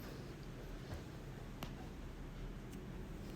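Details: Quiet indoor background hiss with a few faint clicks and knocks, no animal calls.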